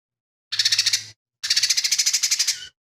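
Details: Lesser green leafbird singing rough mimicry-filled phrases drawn from fighting sparrows, kingfisher and cililin. A short burst of quick harsh pulses is followed by a longer rattling trill.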